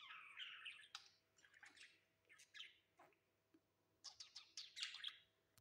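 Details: Pet budgerigar on a new perch, soft warbling chatter and quick high chirps, quiet against a faint steady hum.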